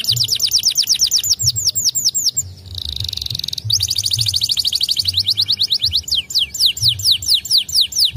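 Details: White canary song: long runs of rapid downward-slurred whistles repeated in quick succession, broken by a steady buzzy trill, then more fast slurred notes; a low hum persists throughout.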